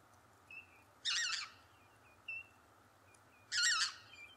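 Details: Lesser white-fronted goose giving two loud, squeaky yelps about two and a half seconds apart, with faint thin whistles from another bird heard between them.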